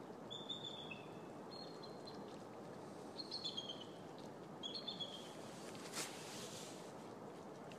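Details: Bald eagles in a front yard greeting the sunrise give thin, high, stuttering whistles in short bursts every second or two, over a steady background hiss of wind or distant traffic.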